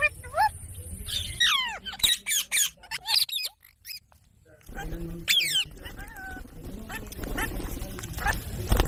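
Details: Green parrot producing a run of clipped, voice-like syllables with sliding tonal sweeps, then a short silence and a second burst of speech-like chatter over a noisy, rumbling background.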